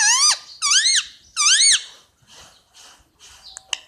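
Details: Three loud arched screeches from a pet Indian ringneck parakeet, each rising then dropping, roughly one every 0.7 seconds, followed by softer rasping noises and a few sharp clicks.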